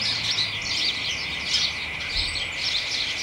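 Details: Excited chatter from house sparrows and companion birds in a hedge, late afternoon, beginning of December; busy bursts of bright chirps overlap, swelling around the middle, over a constant high tone.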